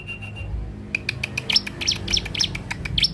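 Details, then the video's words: Young ciblek (Bar-winged prinia) kept as a lure bird: soft, steady whistled notes, then a quick run of sharp high chirps and squeaky, buzzy notes, with low room hum underneath. "Ciblek dakun muda pikat mantap"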